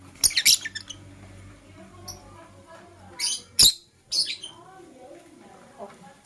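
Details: Lovebirds, Blue Opaline and Parblue Euwing Opaline, in the morning: sharp, high, squeaky chirps in short bursts near the start, then a cluster of harsh chirps around the middle, with quiet low background hum between.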